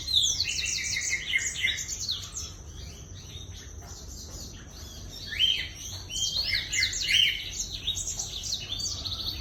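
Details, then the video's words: Black-throated canary in lively, full song: a dense, fast stream of high, sweet chirps and twittering trills, rising and falling in quick phrases, with a steady low background hum. "PANCINGAN BLACKTHROAT GACOR"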